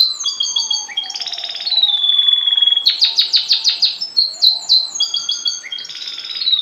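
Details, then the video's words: Caged canary tutor song, the teacher bird placed below its pupils so they learn the song: continuous high rolling trills and sustained whistled notes, alternating fast pulsed rattles with smooth held tones, over a faint low hum. "l'apprentissage vertical du chant"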